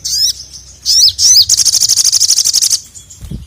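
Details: Little spiderhunter, locally sogok ontong, calling to attract a male; sharp squeaky notes leading into a rapid, even, high-pitched rattle of about a dozen pulses.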